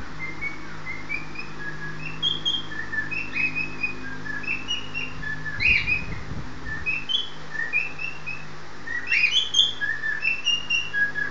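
A male cockatiel gives short, bright whistled chirps, a mating call luring his partner to the nest.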